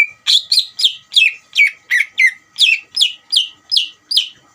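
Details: Provocation song of a greater green leafbird, intended to make a second leafbird reply: a quick, evenly paced string of about a dozen bright, downward-slurred whistles with rough edges, without a break.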